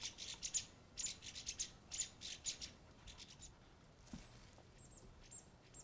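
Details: Chestnut-bellied nuthatch at its nest-hole in a Horse Chestnut tree, deodar and oak mixed forest at Landour: a rapid run of sharp, very high, clipped notes, about two per second, then fainter thin whistled notes.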